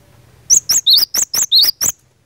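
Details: Cinereous tit, fighter-type song to trigger answers from other tits: seven crisp, very high notes in a rapid string, two of them dipping into short rising slurs, then quiet.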